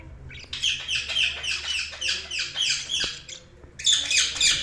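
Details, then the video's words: Budgerigars chirping in a dense, busy chatter of harsh, buzzy warbled notes, quick overlapping bursts repeated several times a second, with a short pause before a loud final burst. "Budgies Sounds| Budgies Chirping sound"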